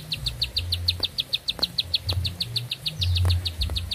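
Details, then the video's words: Long-winded singing from a bar-winged prinia: bright, clipped high notes repeated quickly and evenly, around three each second, with a low droning hum beneath. "Nafas Panjang, Nembak Satu Lagu, Ciblek Sawah Gacor"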